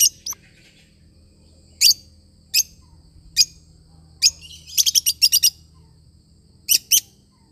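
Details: Lovebird, a pet parrot, giving sharp high chirps, single notes at first, then a fast burst of five or six around the five-second mark and a closing pair, over a faint low hum.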